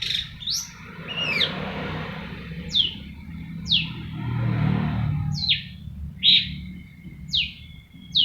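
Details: Long-tailed shrike giving a series of sharp, descending whistled notes spaced about one second apart, with a soft rumble behind.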